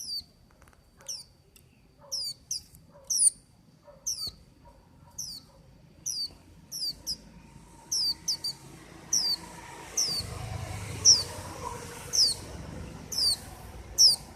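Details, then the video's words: White-eye song: a long run of high, quick, downward-sliding whistled notes, steady at first, then quicker and brighter in the second half as a low rumbling noise rises beneath. "Tiếng chim vành khuyên hót"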